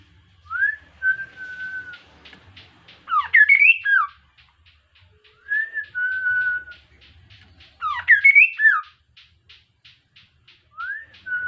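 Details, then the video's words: Kaso-kaso bird, an insect-eating bird kept in captivity, singing vigorously as a lure to get other birds singing: a clear flat whistle with a short rising start, then a burst of fast twisting notes, repeated roughly every five seconds. "KASO KASO GACOR COCOK UNTUK PANCINGAN BIAR IKUTAN GACOR JUGA"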